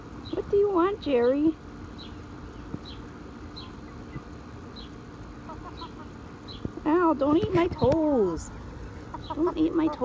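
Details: Backyard hen that has not started laying gives wavering, bending calls in short bursts at the start and again near the end, with a quiet gap between and faint high chirps in the background.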